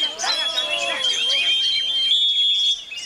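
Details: Oriental magpie-robin in strong wind giving a brief burst of fast chattering and buzzy twitters that stops abruptly, leaving only a steady high tone.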